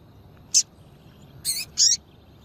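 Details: Female double-collared seedeater call, used to excite males kept for singing tournaments: a single short, very high chirp, then about a second later a close pair of high, slightly harsh chirps, over faint low hum.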